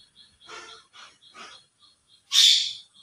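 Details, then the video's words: Indian ringneck parakeet, a talking pet parrot, mutters three quiet scratchy notes before bursting into a single loud, shrill, grating screech that fades away. "indian ringneck parrot / talking parrot nature sound"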